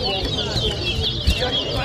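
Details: A short burst of high, wavering twitters from chestnut-bellied seed finches (towa towa) singing against each other at a 2023 whistling competition in Lusignan, Guyana, with crowd murmur underneath and a sharp knock midway.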